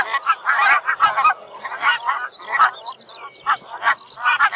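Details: Barnacle goose (Branta leucopsis), flock calls.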